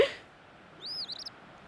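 An Eastern Phoebe gives one quick, slightly raspy "fee-bee": a high arched note, then a stuttering buzzy ending. A sharp click opens the recording.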